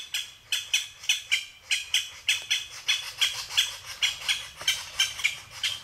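Japanese green woodpecker: a steady run of about fourteen harsh, high, scratchy notes, roughly two or three each second, with nothing else of note.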